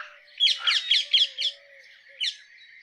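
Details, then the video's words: A rose-ringed parakeet gives a quick burst of five harsh, chattering screeches, then one more screech after a short pause, above a faint background hum. "Rose ringed parakeet Call"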